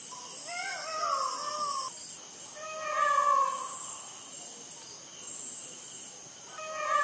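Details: Night-time peacock screams at midnight in Sri Lanka, made with a Sony ICD-PX470 recorder: a series of loud, harmonic, drawn-out wails about two seconds apart, the first rising then falling, with a final call beginning at the end.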